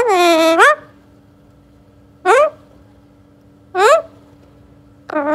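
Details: Talking baby Alexandrine parakeet kept indoors. It gives four loud, nasal, harmonic calls spaced roughly one and a half seconds apart. The first is long and flat before an upward flick, and the others are short upward swoops, with steady low hum between.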